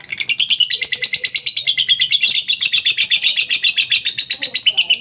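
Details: Continuous ngekek from a lovebird, meant to make other lovebirds follow: a shrill, pulsing chatter of high notes repeated rapidly and evenly throughout, with a faint low sound in the background.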